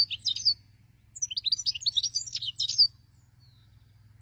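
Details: European goldfinch song used as a hunting lure: quick tinkling, twittering phrases of high chirps and trills in two bursts separated by a short pause, with a low steady hum underneath.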